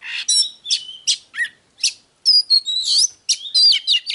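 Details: Oriental magpie-robin song of separate short whistles and chips with small gaps between them. It then gives a dense, fast phrase of high slurred whistles and clicks.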